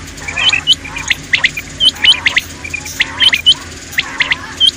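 Common quail giving short, sharp chirping notes in quick irregular bursts, several birds overlapping, against a faint background hiss.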